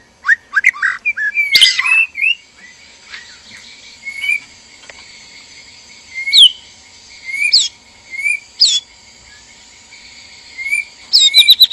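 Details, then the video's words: White-rumped shama, male and female in a captive breeding cage, mating call: sparse short whistled notes spaced a second or more apart after an opening burst, with a faint steady high hiss behind. "PANCINGAN BIRAHI KAWIN MURAI BATU JANTAN DAN MURAI BATU BETINA DIKANDANG PENANGKARAN"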